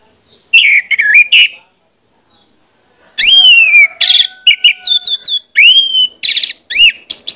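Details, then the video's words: Orange-headed thrush lure recording played to make birds sing vigorously; a short whistled opening, a pause, then a long run of loud, varied high whistles, upslurred and downslurred notes and rapid chips. "pancingan anis merah ini bakalan bikin gacor jika di putarkan"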